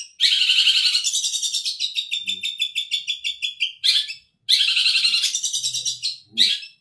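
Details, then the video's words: Long-tailed shrike performing Tengkek Buto material: a loud rasping rattle slowing into staccato notes, a pause, then another harsh buzzy rattle and a short burst. "Cendet materi Tengkek Buto mewah"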